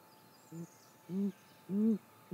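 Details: Female great grey owl at her nest, recorded by a nest camera at 6:19 am on 28 May 2017, giving three low soft hoots that grow louder and longer with each note, over quiet background hiss.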